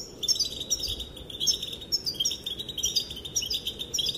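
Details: Female goldfinch giving calls said to excite the males into dancing; a dense, continuous high-pitched twitter with rapid chirps and trills fills the clip over soft background noise.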